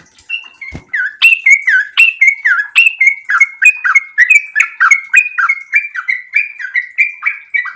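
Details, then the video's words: In breeding condition, a sooty-headed bulbul pours out a very long 'ropel' song of quick bubbling notes. It opens with a few slower whistles and a sharp click, then runs into a steady, even chatter of rising and dipping notes. "trucukan gacor birahi ropel super panjang"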